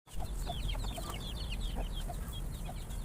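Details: Many farm chickens feeding, startled by a noise while eating: a dense overlapping chatter of short high chirps and scattered mid-pitched clucks over a steady low rumble.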